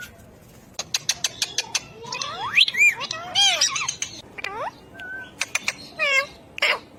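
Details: Pet ring-necked parakeet talking: a series of quick clicks opens, followed by sweeping, rising speech-like syllables, a steady short whistle and a final raspy note.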